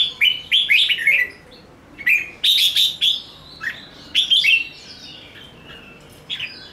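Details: Red-whiskered bulbul singing an energetic ché nẹt fighting song: quick clusters of clear, slurred whistles repeat in bursts roughly every second, then sharper loud notes and softer trailing phrases. Background stays quiet.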